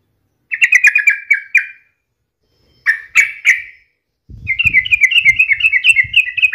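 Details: Sooty-headed bulbul in energetic song, intended as a daily lure for other birds: a fast string of repeated chirps, a couple of harsher notes, then a longer rolling series with faint low thumps beneath.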